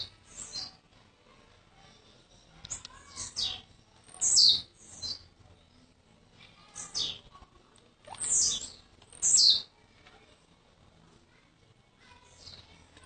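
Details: Young blue-black grassquit from Jacarepaguá, Rio de Janeiro, newly arrived the day before: short, sharp, high-pitched descending notes given in brief bursts several seconds apart over a quiet background.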